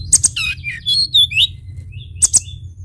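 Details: Energetic Sunda bush warbler song: clusters of very high sharp ticks, warbled twisting phrases and slurred whistles tumbling in quick succession, then a pause before another pair of sharp ticks, with a constant low background hum.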